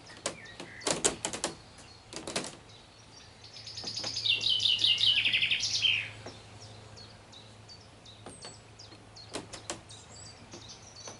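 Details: A Common Chaffinch singing in a garden in the afternoon gives one bright, rattling song phrase of about two seconds, running down the scale to an end flourish. Sharp knocks come before and after it.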